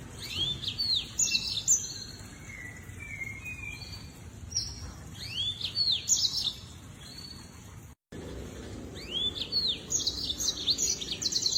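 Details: Lemon-breasted Canary (Crithagra citrinipectus) song: quick, high twittering phrases of sharp down-slurred notes and brief trills, repeated in bursts over a low rural hum.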